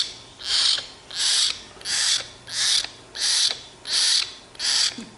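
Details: Young tame hill myna begging for bread: seven harsh, rasping hisses, each about half a second long, spaced regularly with short quiet gaps.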